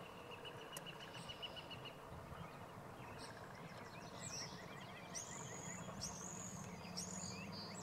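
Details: Blue-winged teal at Mammoth Park on 25 March 2022: thin, high whistled peeps in short bursts, clustered in the second half, over a steady low outdoor rumble.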